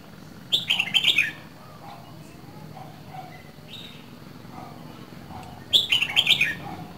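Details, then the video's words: Two loud song bursts from a two-season red-whiskered bulbul of Dak Lak, each a quick tumble of ringing whistles lasting under a second, separated by about five seconds of soft, low twittering and background hum. "CHÀO MÀO LÂN DAK LAK 2 MÙA SIÊU BỘNG"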